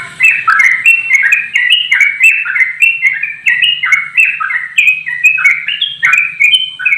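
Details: Straw-headed bulbul singing in rapid, continuous 'ropel' style while flapping its wings: loud, rich whistled phrases that step up and down, tumbling and bubbling almost without pause, with a faint low hum underneath.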